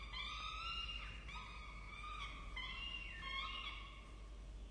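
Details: Peregrine falcon chicks at their nest in Orange, Australia, being fed: whining, harmonic cries that bend upward and downward, overlapping in quick succession.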